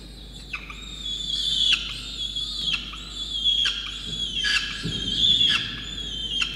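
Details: Peregrine falcon chick begging loudly as its soaked parents feed it a soaked starling, Orange, New South Wales, Australia, 5 November 2021; harsh, drawn-out wailing squeals with rich harmonics, repeated about every two seconds, faint low background rumble.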